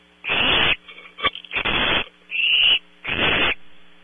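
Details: Night-time barn owl owlets on a close-up PTZ camera at Audubon Starr Ranch, California: four loud, rough hissing screeches in four seconds, with a few brief scuffles between, over background hum.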